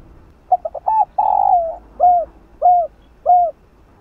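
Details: A single spotted dove phrase in the 'chiêu 3 hậu' lure style for stimulating a caged dove to coo: several quick clipped notes, one long buzzy coo, then three short descending coos about half a second apart.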